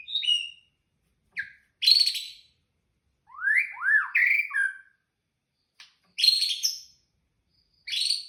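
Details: White-rumped shama singing at night: clear whistled phrases rising and falling between low and high notes, mixed with short harsh buzzy bursts, delivered in separate phrases with silent gaps; no other sounds present.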